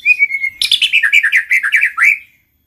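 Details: White-rumped shama song played to get other shamas singing: a level whistle followed by a quick, continuous string of varied chirps and trills ending in a rising note.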